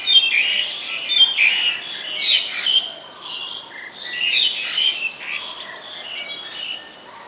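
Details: Recorded 2 January 2020 in Ubon Ratchathani, Thailand, a black-collared starling delivers irregular loud bouts of harsh squawks interwoven with bright whistled notes, fading gradually toward the end.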